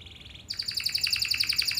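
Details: Canary singing a lure song meant to get other canaries to answer: a soft high trill, then a louder run of rapid, evenly repeated chirping notes, about a dozen each second.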